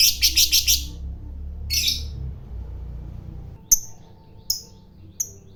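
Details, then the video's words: Fighter lovebird: a quick run of harsh chattering notes, one raspy burst, then a few isolated sharp high chirps. "Suara BURUNG LOVEBIRD FIGHTER NGEKEK PANJANG,Memancing EMOSI Lawan Agar BUNYI Ngekek"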